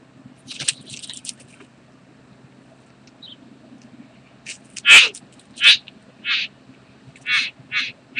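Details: Bowerbird during mating, recorded 8 January 2014 at karawarra: after soft rustling, a series of loud, harsh, hissing bursts repeating at uneven intervals of about a second, with a quiet low hum underneath.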